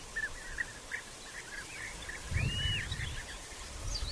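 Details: European bee-eaters in early June at nest burrows still being dug, during courtship feeding and copulation; scattered short trilled calls with one longer swooping note, over steady low-frequency background noise.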